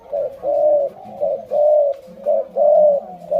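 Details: Spotted dove of the Malay line, kept indoors, practicing its cooing: mid-pitched hollow coos in a steady pattern, a short note followed by a longer drawn-out one, repeated about once a second, with a faint lower undertone.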